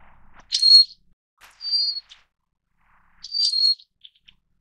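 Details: Three piercing high whistled calls, each under half a second, from a Little Forktail of the endemic Taiwan subspecies, a bird of rocky mountain streams, with faint clicks between them.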